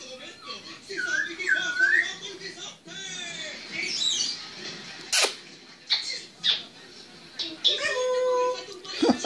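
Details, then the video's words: Pet grey parrot indoors making a varied run of relaxed sounds: warbling whistles, speech-like mutterings, sharp clicks and a loud snap, shifting pitch throughout. "Pietro il cenerino : relax. Peter The African grey : relax"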